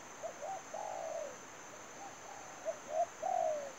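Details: Spotted dove acting as a trapping lure, calling broken stuttered notes and two longer falling coos within a few seconds, fainter softer notes between, over continuous high hiss.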